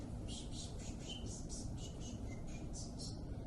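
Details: Indigo bunting (Passerina cyanea) song, high thin notes in its distinctive two-note couplets on the same pitch, a couplet about every half second, faint over a steady low hum, Adams County, Nebraska.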